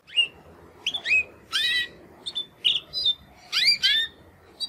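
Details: Two young male Timbrado canaries, brothers hatched in the second breeding of 2020, making their first attempts to sing after their first molt; scattered short rising and falling chirps and buzzy notes separated by brief pauses, with one voice singing noticeably better.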